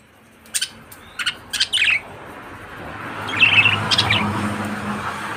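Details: Budgerigars chirping: quick high chirps in small clusters early on, followed by a warbling twitter over a steady background hum.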